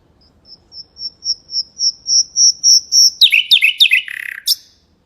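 A mangrove whistler sings a dozen high, thin whistles that quicken and swell in loudness, then breaks into a rich, tumbling flourish of lower falling notes.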